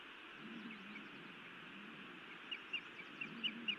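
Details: Female osprey scolding her mate at her Montana nest on 31 May 2017 in the evening; a loose string of five thin, high chirps in the last second and a half, over broad steady noise.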